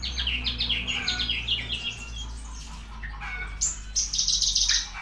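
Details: Javan bushlark singing: rapid high chirps and short sweeping notes, several per second, then a thin buzzy trill near the end, over a steady low hum.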